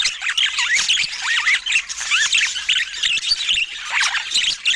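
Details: Budgerigars in natural Scandinavian light, several birds chattering continuously: rapid warbled, squeaky chirps sweeping up and down, overlapping densely throughout with no music or speech.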